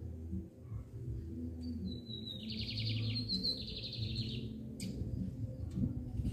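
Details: Double-collared seedeater in Brazil, a bird prized for its song: one bright phrase of rapid trilled notes, starting with a thin whistle, then a buzzy fast series, over loud low rumbling background noise.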